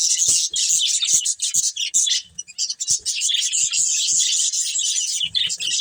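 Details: Breeding pair of budgerigars kept as pets, chattering continuously in dense, scratchy high chirps and warbles with brief pauses and faint low knocks underneath.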